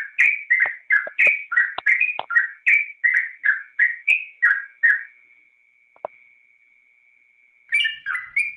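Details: Yellow-vented bulbul singing, recorded as a master track for training cage songbirds: about five seconds of rapid, bubbly, slurred notes repeated several times a second, then a long steady pure whistle, then the chattering phrases resume.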